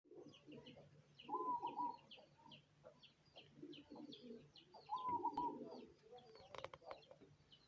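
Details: Cemani zebra dove singing: two ringing, trilled coo phrases near 1.3 and 5 seconds, each broken into quick beats, amid soft chirps from other small birds and a steady low hum.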